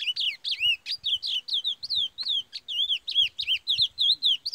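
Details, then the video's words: Curió performing the Parazão song type: a continuous run of rich, slurred whistles, each note swooping downward, repeated rapidly and evenly for over four seconds, with faint clicks in the background. "CURIÓ PARAZÃO"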